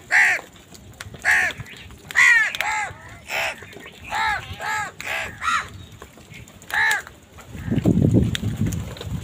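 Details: Crows fighting with wild birds over food give a steady series of harsh, hoarse caws, about one every second for seven seconds, followed by a low rumbling noise near the end.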